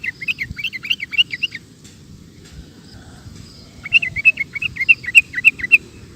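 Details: Sooty-headed bulbul in rapid ropel song: two fast strings of bubbly, looping whistled notes, each lasting under two seconds, separated by a brief pause, over a low hum.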